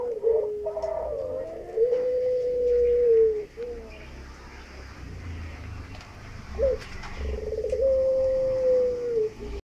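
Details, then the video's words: Puter pelung, an Indonesian native cooing dove, courting its female: long drawn-out, level low coos that swell and fade, two main phrases with shorter notes between, over a faint background rumble. "PUTERNYA LAGI NGERAYU BETINANYA"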